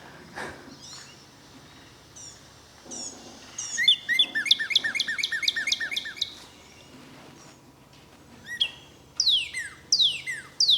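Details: A recording of Northern Cardinal song played from a phone during a July 2024 bird talk in Georgia: a quick run of clear, downslurred whistles, then louder sweeping slurs, over faint room noise.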